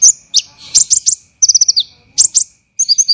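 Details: Olive-backed sunbird (kolibri ninja) in dense rough 'tembakan' style for songbird training: a few sharp high chips, a rapid five-note volley sliding down at the end, a brief harsh burst, then thin alternating twittered notes.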